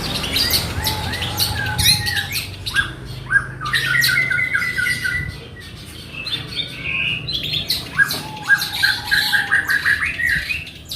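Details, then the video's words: Long-tailed shrike from Situbondo, Java, singing mimicked material, including tengkek buto, kuntilanak and greja, in the 'petir KW' style: harsh, scratchy squawks mixed with short chirps and a few clear whistled notes, over steady low background noise. "CENDET INI MUNTAHKAN TENGKEK BUTO KUNTILANAK GREJA NYERET PETIR KW PANJANG2 DAN DIULANG2"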